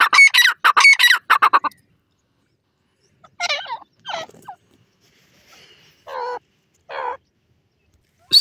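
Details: Francolin calling: a rapid burst of harsh, grating notes repeated about ten times over the first second and a half, then scattered shorter rasping phrases after a pause.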